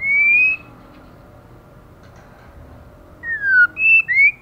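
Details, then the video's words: Female white-rumped shama in heavy moult, singing intensely: one long slightly rising whistle, a quiet gap, then four quick clear whistled notes, one falling and the others rising. "LỬA MÁI THAY LÔNG TRỤI LỦI ĐẬP TẠCH LÔNG BAY VUNG VỤ HÓT CỰC XUNG KÍCH LỬA"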